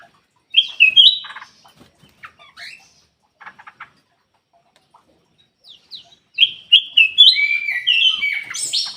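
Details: Bulbul called kutilang emas, in a lure to coax birds that are slow to sing. Scattered chirps and dry clicking ticks come between quiet gaps, then a lively, bright twittering song swells and runs on to the end.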